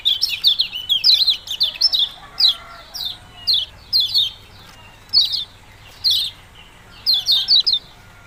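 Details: Yellow-bellied prinia, known locally as kecial kuning, singing with a 'ciak-ciak' sound: high, sharp down-slurred chirps in short clusters of two to four, repeated roughly every second with quiet pauses between.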